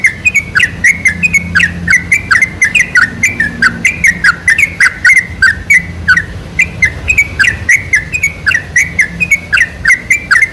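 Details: Lure song of a sooty-headed bulbul for drawing out singing in other bulbuls: a long, busy run of bright, warbling notes, fast and nearly continuous, with slight pitch jumps and a soft hum behind.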